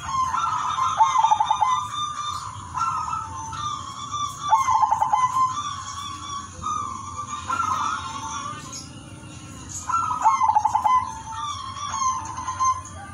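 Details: Melodious song of a silver Udan Mas zebra dove, or perkutut, used as a lure for other zebra doves. Repeated phrases arrive every few seconds, each a rapid rattling trill ending in drawn-out coos, over low hum and a high whine.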